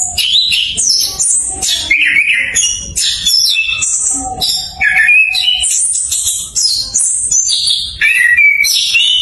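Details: Orange-headed thrush lure song for birds that have stopped singing: an energetic flow of high, varied whistles, trills and scratchy notes, densely packed and changing pitch constantly, with a faint low steady tone.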